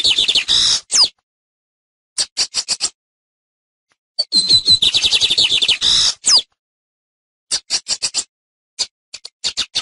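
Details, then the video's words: Lined seedeater, locally called tucero, corbatita or bengalí, giving a teaching song: bursts of rapid, buzzy, high-pitched notes and sharp chips, with a longer dense rattling phrase mid-clip, separated by silent pauses. "TUCERO: CANTO DE ENSEÑANZA"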